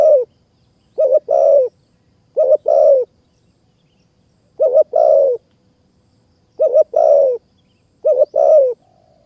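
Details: Spotted dove singing in high mountain forest, Kanchanaburi, Thailand, during trapping with a decoy bird; repeated phrases of a brief doubled hoot followed by a longer slurred coo falling at the end, roughly every one to two seconds.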